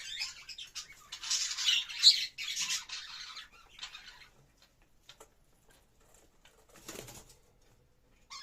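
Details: Budgerigar while mating, giving a dense burst of buzzy, high-pitched chattering warble for about three seconds, then scattered soft clicks and a brief rattle.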